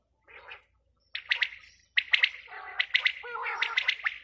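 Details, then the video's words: A female quail starts with a soft, muffled note, then gives a dense run of sharp, rattling chirps that blur into a continuous harsh burst near the end. "Batair ki awaz | Bater awaz | Quail sound | batai madi ki awaz"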